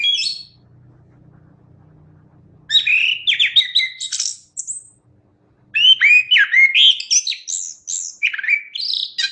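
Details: Chestnut-backed thrush singing loudly. A short whistled note is followed by a pause, then dense bursts of sweet, slurred whistles and chattering notes, with rising and falling phrases delivered rapidly.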